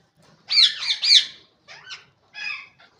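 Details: Rose-ringed parakeet (green ringneck) giving harsh, screechy squawks: two loud rasping notes, then two softer, buzzier calls over about three seconds.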